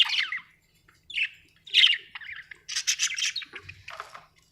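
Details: Happy pet budgerigar chirping: short slurred squawks and chirps separated by brief gaps, building into a rapid warbling, chattering phrase that trails off.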